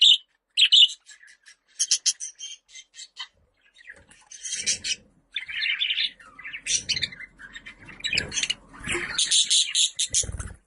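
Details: Budgerigar giving scattered sharp chirps and squeaky, buzzy bursts in irregular clusters, with short pauses between bouts of warbling chatter.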